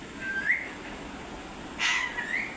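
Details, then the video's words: Parrot giving two whistled notes: a level tone that rises at its end, then after a pause a short bright burst followed by another upward-sliding whistle, over a quiet background. "Parrot making noise 😂||parrot sounds"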